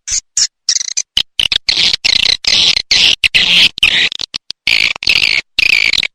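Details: Swiftlet calls for attracting the birds: harsh buzzy chirps in choppy bursts separated by clean silent gaps, rising and falling slightly in pitch.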